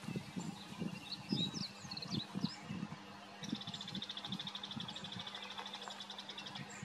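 A bull-headed shrike gives scattered sharp, high chirps, then a fast, even chattering rattle for about two seconds, over low rumbling wind or handling noise.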